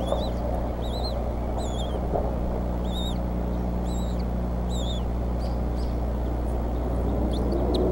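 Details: Bald eagles at the Decorah nest on 8 April 2014, evening, with the mother feeding eaglets and the father making two prey deliveries in ten minutes. High whistled double chirps repeat about every 0.7 seconds over a steady low rumble.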